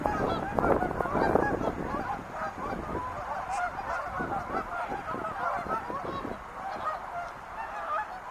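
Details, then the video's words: A big gathering of wild geese, loud cackling at first, then a steady stream of rapid overlapping honks repeated about twice a second. "sounds of wild geese"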